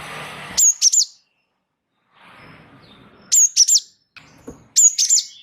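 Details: High-pitched song of a Java sparrow (gelatik wingko) in a rolling style, recorded for tutoring other birds: three clusters of two or three sharp, bright chip notes, separated by short quiet gaps and soft background noise.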